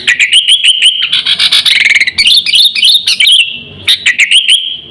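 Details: Sooty-headed bulbul used as a lure and training model for pet birds: rapid chirps merging into a dense buzzy chatter, followed by rising and falling warbled notes and further quick chirps.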